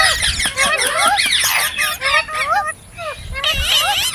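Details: Green parrots produce a rapid run of grating squawks and upswept whistles, dropping briefly near the end before a fresh burst of shrill calls.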